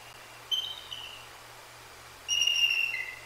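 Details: Two high, sharp whistled calls, the second longer and slightly falling at its end, from a female bald eagle and her mate on a nest cam, 1/2/24, shortly after a Great Horned Owl struck her off-guard on her perch; low hum throughout.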